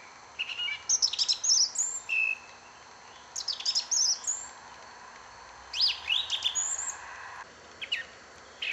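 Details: Song thrush singing: varied phrases of sharp, high chirps and quick rising and falling notes, each phrase repeated in short bursts separated by brief pauses, with a faint steady background hiss.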